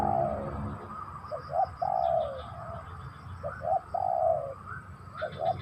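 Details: Spotted dove cooing: soft paired phrases, a short note followed by a longer, slightly falling coo, repeated a few times with pauses between, over a faint low background rumble and some high chirping.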